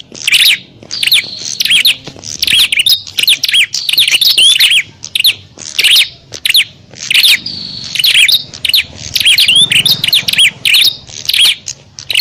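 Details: Prinias fighting and calling noisily, a lure recording for wild prinias: a long run of strident chirping bursts, each a tight string of sharp high notes, separated by short gaps, roughly ten bursts in all.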